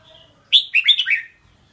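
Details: Red-whiskered bulbul gives a brisk, cheerful phrase of five bubbly notes, the opening one piercing and the later ones descending, with a quiet high whistle just before.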